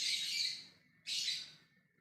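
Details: Two long, grating, high-pitched screeches from a lovebird calling others in ngekek fashion, each lasting over half a second and trailing off, separated by a brief pause.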